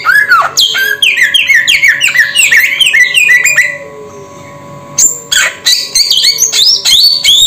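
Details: Samyong bird pouring out rapid chattering whistles in quick succession for about three seconds, a brief quiet spell, then sharp high clicks and whistled notes resume.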